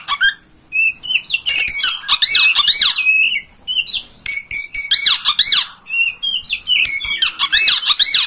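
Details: Kacer or oriental magpie-robin master song played to make a captive bird open its tail and sing; rapid, scratchy warbling of looping squeaky whistles and harsh notes, nearly continuous with short breaks.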